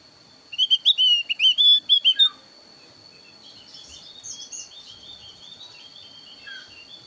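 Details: Javan grey-throated white-eye (thin-browed variety) in a varied lure song for trapping: a loud cluster of quick, looping whistled notes, followed by quieter, rambling twitters fading into the background.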